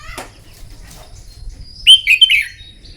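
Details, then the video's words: Red-whiskered bulbul singing in the morning, trained for song contests: one burst of loud, bright warbled notes near the end, quick slurred rising and falling phrases after faint chirps and soft rustling. "Chào mào hót kích lửa " luyện chào mào hót đấu buổi sáng" kích chim hót căng lửa"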